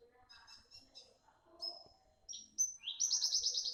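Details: Sharp-voiced young parva bush lark in full song, giving scattered chirps and thin whistles, then a rising sweep that breaks into a fast, rattling high trill of about eight beats.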